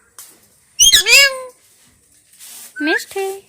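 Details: Indoor talking parrot utters a loud, shrill, slurred phrase with sliding harmonic tones, followed after a short pause by two quicker rising squawks.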